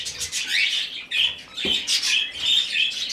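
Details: Rescued young budgerigar begging during hand-feeding: rasping, buzzy chirps, one upward-sweeping squeak, then rapid scratchy pulses, with a brief knock midway.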